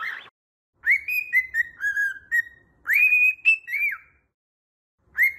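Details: A cockatiel whistles melodic phrases after an opening squawk. Rising notes lead into held level tones, then drooping slurs. Two phrases are clearly heard, and a third begins at the end.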